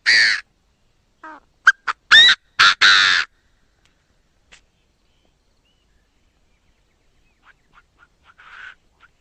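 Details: Chinese francolin delivering a harsh, grating phrase: a loud opening note, then short clipped notes and two long rasping syllables. Faint soft clicks and a muffled note come after a pause.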